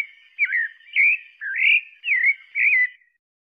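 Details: Pale-breasted thrush singing: five short warbled whistled phrases, each bending up and down in pitch, spaced about half a second apart, clear and clean with no other sounds.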